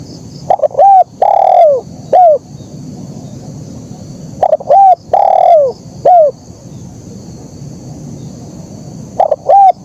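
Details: Spotted dove singing actively in the 'kuk 1' style: three phrases, each of two short clipped coos followed by a longer, louder coo that slides downward and ends in a brief note, about four seconds apart, over a faint steady high hiss.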